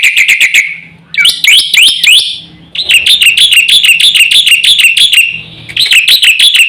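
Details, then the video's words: Black-winged myna song meant to stir other mynas to call: rapid clipped notes, swooping whistled phrases, then a long steady run of bright, buzzy chirps repeated about three times a second. "suara jalak putih gacor full isian sekali pancing semua burung jalak ribut gacor"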